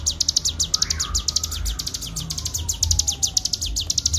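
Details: Bar-winged prinia singing in the fast, unbroken ngebren style for a clear master recording: a rapid run of sharp high chirps, nearly two per second, with a faint sliding tone rising and falling beneath and a low rumble.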